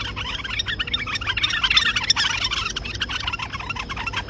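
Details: White-eared bulbuls fighting: a dense burst of harsh, chattering squabbling calls, several birds overlapping at a fast, uneven pace, over a faint low hum.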